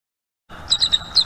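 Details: Bald eagle at a nest tree on a Northeast Florida live nest cam, season 4. On a day when the male called repeatedly for his mate, mated with her and chased off an intruding eagle, a rapid burst of high, thin, sharp chittering notes, about five within a second, over faint low rumble.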